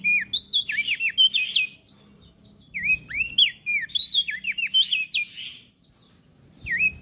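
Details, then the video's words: Training song for cage birds, gacor crested darkeye with prinia from Lombok: bursts of rapid high looping whistles and chips, separated by short quiet gaps, a low hum underneath. "Opior Jambul gacor Mental Juara Masteran Jitu Burung Prenjak Daun Lombok"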